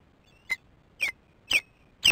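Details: Osprey at its nest at 5:48 in the morning on 07/03/15, an adult feeding the chicks: four loud, sharp whistled chirps, each dropping slightly in pitch, evenly repeated about every half second over a quiet background.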